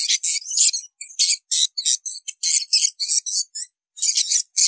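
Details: Edible-nest swiftlets chirping to attract more swiftlets to a nesting house for farming: short bursts of high, scratchy twittering chirps separated by brief gaps, several birds overlapping.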